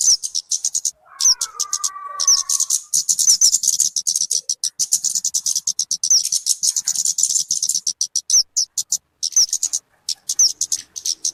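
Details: Talokan (kemade) calls of the kind used to lure birds or to tutor them: dense, fast-repeated high ticking notes with scattered whistled slurs, a short lower tonal phrase early on, and a few brief pauses.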